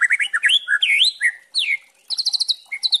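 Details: Juvenile speckled white-rumped shama song used as a lure to rouse caged birds into singing, in a crackling 'kretekan' variation: quick slurred whistles rising and falling, a pause, then rapid high repeated chips.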